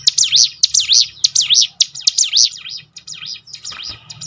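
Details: Lure recording of hill prinia song: loud, rapid, swooping high whistles repeated in a steady chain, fading into softer, scattered notes near the end.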